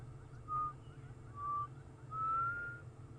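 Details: A distant black cuckoo on a sunrise safari drive, 23 November 2014, gives three mournful, pure whistles, the third longer and slightly rising, over a low engine rumble.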